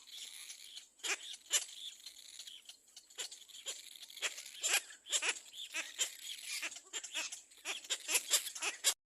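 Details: Baby little black cormorant crying loudly at its nest as another bird comes in: irregular run of scratchy, wheezy squawks, quieter at first then building into dense rapid bursts near the end.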